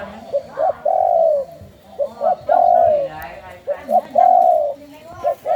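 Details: Caged spotted dove of the Thai 'sai khu ang' song line, its mother from the 'black horse' line. It gives three cooing phrases, each two quick short notes then a long, smooth, falling coo, about every 1.5 seconds. A faint voice is in the background.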